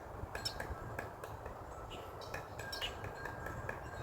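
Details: A Pileated Woodpecker on a cedar tree in a backyard pecks at the wood with sharp, irregular knocks, several a second, then pauses, over a steady low rumble of background noise.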